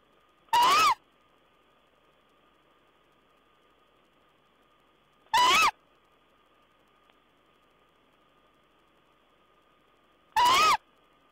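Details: Owl recorded 14 April 2010, uttering three short, hoarse screeching calls spaced about five seconds apart, each with a quick rising-falling inflection, against a constant faint tonal hum.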